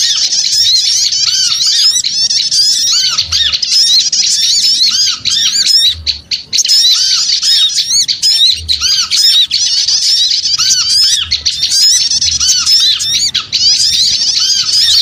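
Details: Lure recording of small birds, busy and noisy: a continuous dense chorus of many high, squeaky chirps and twittering notes overlapping throughout, with short wavering whistles and a few brief dips in loudness.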